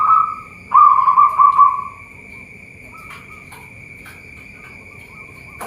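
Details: Local zebra dove from a bird farm in Boyolali, Central Java, sings two loud, low, vibrating coos in the first two seconds, followed by quiet with a constant thin high whine and a few faint clicks.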